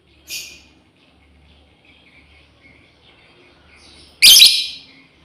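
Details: Calling for its companions, a female lovebird gives a short shrill squawk, then after nearly four seconds of quiet a louder, harsher screech.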